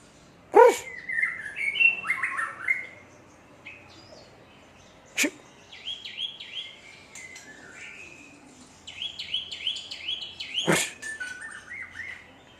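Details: White-rumped shama from Aceh singing scattered phrases of sliding whistles and ticking notes, broken by pauses and three loud sharp knocks or clicks.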